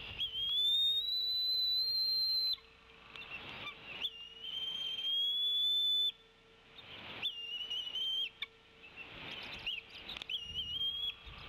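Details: Female Bald Eagle arriving on the Decorah nest, tea kettling loudly while walking to the male and pushing him off feeding the eaglets: loud, high, clear whistled notes, rising then level, repeated with short gaps.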